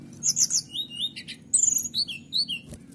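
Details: Canary singing the rapid 'nembak' style meant to rile rival birds: dense, loud runs of high chirps and descending whistles, a brief pause, then a fresh burst of sweeping trilled notes.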